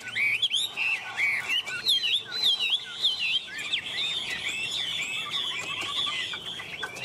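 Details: Chinese hwamei perched on a hand, a continuous rich stream of high whistled phrases and twittering notes, with a soft lower trill near the end.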